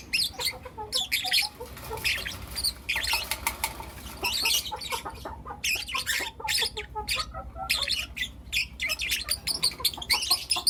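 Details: Four young lutino lovebirds, caged pets, chattering in the morning; continuous high chirps and scratchy squeaks, some softer lower notes mixed in, steady busy twittering throughout.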